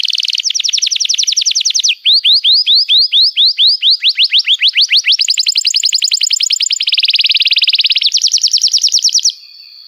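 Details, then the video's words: Canary in long unbroken song, a lure for young canaries learning sounds: buzzy trill, then rolling slurred notes, a rich rattling trill, and a closing thin steady tone. "Kenari Gacor Panjang Cuit Cuit Emosi, Pancingan Kenari Paud Belajar Bunyi"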